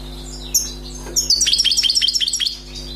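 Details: European goldfinch, freshly caught from the wild, gives a few faint high notes, then a fast run of about a dozen repeated tinkling, descending chirps lasting over a second. A constant low hum runs beneath.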